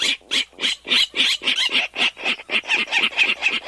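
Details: In a marsh, a Virginia Rail gives a rapid run of rough, harsh, buzzy pig-like grunts, about four per second, slightly uneven in pace and loudness; this grunt is distinctive and made by no other bird.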